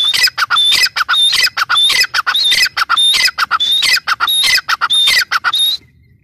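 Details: Grey francolin (teetar) in full voice: high, shrill, metallic notes delivered in quick repeated phrases for nearly six seconds, ending abruptly into quiet.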